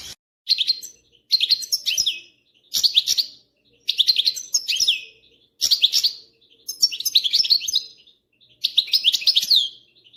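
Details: European goldfinch giving its mating song, said to lead a female into a mating posture: clean, tinkling twittered phrases of about one second, repeated roughly every one and a half seconds, in a quiet setting.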